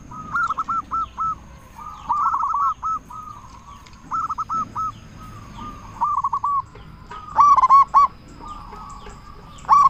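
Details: Loud-voiced local zebra dove, recorded to lure and excite other zebra doves into replying: short bursts of fast, looping coo notes, each burst about half a second long, repeated roughly every second or two.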